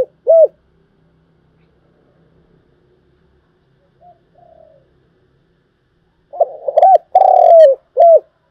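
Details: Spotted dove cooing in the thúc gù and gáy gọi styles, recorded for luring birds in trapping: one short coo at the start, then after a quiet gap a run of four rounded, mellow coo notes near the end.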